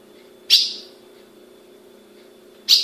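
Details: Female ultramarine grosbeak held in captivity in Brazil gives a loud, abrupt high chip, then another just over two seconds later; each note ends in a short ringing fade over a steady background hum.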